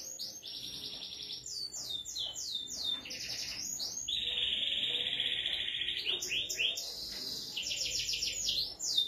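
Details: Canary singing a varied song of rapid downslurred chips, buzzy trills and a long sustained rolling note, phrases shifting every second or two, with faint background noise.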